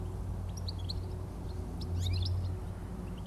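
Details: European goldfinch singing in Somerset on the evening of 17 July 2024. Faint, high tinkling twitters and chirps are scattered through the clip, partly buried under a loud, low engine-like rumble that swells midway.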